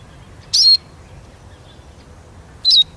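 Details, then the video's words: Eurasian siskin giving two sharp, high whistled notes about two seconds apart, each a quick downward twist ending in a brief steady tone, in quiet surroundings. "Как поет чиж"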